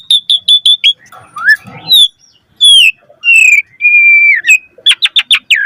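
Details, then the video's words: Asian pied starling singing to lure others of its kind: quick repeated whistled chirps, a softer rough passage, then slurred whistles, a long flat tone and a closing burst of rapid notes. "Suara Jalak Suren Gacor Variasi Full Isian Ampuh Cepat Respon Buat Pancingan Burung Jalak"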